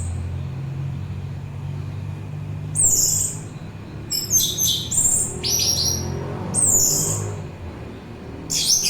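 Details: Orange-headed thrush song, meant as relaxing listening and lure material: after a quiet start with low rumble, a series of high, bright, rapidly warbled phrases with sharp whistles arrives in short clusters.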